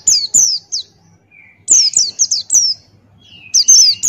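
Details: Buxtoni white-eye, described as a male in full song with open bill, used as a tutor recording: bright, very high, downslurred chirps in quick pairs and triplets, one soft lower whistle, separated by short pauses.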